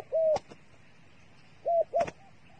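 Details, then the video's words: Dove used as bait by bird trappers, giving two short low hooting coos, each a steady flat tone, the second followed by a brief third note, with sharp clicks and faint background hiss. "The five videos of the dove bait are really good to wa"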